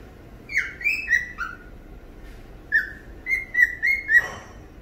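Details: Singing cockatiel on a rainy morning, whistled song in two phrases: first a few descending slurred notes, then after a pause a quick series of level whistles ending in a harsher, broader squawk-like note.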